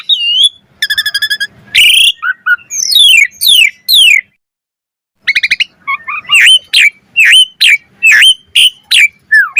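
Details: Asian pied starling pouring out gacor mompa song: buzzy trilled notes and harsh bursts, a brief silence, then a regular series of sharp downslurred whistles.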